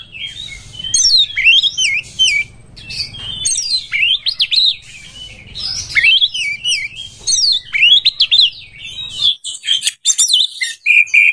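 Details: Oriental magpie-robin in breeding condition, song used to lure other birds: a long run of rich, rapidly modulated whistled phrases with slurred up-and-down notes, ending in short chirps and a steady whistle.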